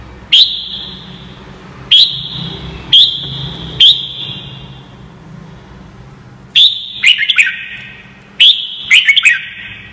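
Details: Red-whiskered bulbul singing as training audio: a run of four ringing whistled notes about a second apart, a pause, then two bursts of rapid warbled phrases, all bright and high over steady low hum.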